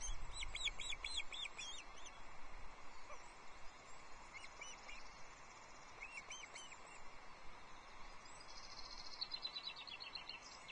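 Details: Loch Arkaig osprey nest during a fish handover, 22 June 2024, male bringing a small whole trout for chicks. Opening burst of rapid high chirps, sparse calls after, then another quick piping series near the end, with steady hiss.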